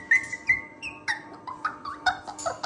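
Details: Pet cockatoo greeting its owner: a clear whistled note, then a run of varied, speech-like squawks and warbles that rise and fall.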